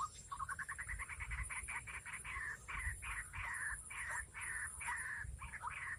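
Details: White-breasted waterhen, lured for trapping in the rainy season, giving a rapid accelerating run of sharp repeated notes that settle into a steady pulsing series, over a constant high whine and low background rumble.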